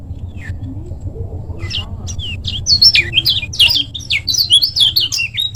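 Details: Lombok lemon-bellied white-eye, a master recording in the short-speed style. Quiet low hum opens, then a burst of quick, high, sweeping chirps builds into a fast, jumbled twittering run.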